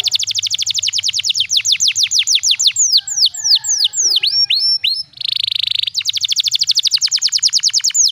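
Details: Canary singing a special cengkok melody meant for tutoring young birds: long fast series of downward-sweeping whistled notes, a mix of short chirps around four seconds, then a buzzy rolling trill followed by rapid repeated sweeps.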